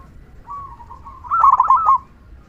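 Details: Zebra dove, a local bird with a strong "kung" song that stimulates other doves to sing: a soft level coo builds into one loud quavering phrase of four quick rolling notes.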